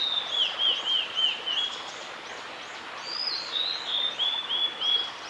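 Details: Male blue-and-white flycatcher singing in Oiso, Kanagawa, Japan, on 11 June 2016: two clear high whistled phrases of wavering, slurred notes, each about two seconds long, separated by a short pause, over a steady faint background hiss.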